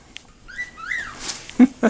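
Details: Angry pet cockatiel, provoked by a person waving a graduation gown like a bullfighter and charging at it, gives rising and falling whistled notes, then two short low bursts.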